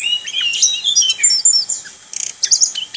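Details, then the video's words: Orange-headed thrush delivering ngerol rolling song: fast, continuous high twittering and whistled notes, a short quieter gap near the two-second mark, then sharp clipped chirps. "ANIS KEMBANG NGEROL"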